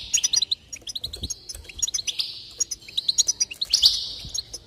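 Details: Goldfinch song played to stir a bird into singing: rapid, bright twittering chirps in quick runs, woven with sustained buzzy, tinkling trills, near-continuous and lively throughout.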